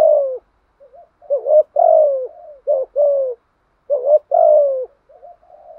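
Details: Spotted dove, a trained caller, coos in repeated phrases of a short rising note and longer falling coo, with faint soft notes between them and a quiet trailing call at the end.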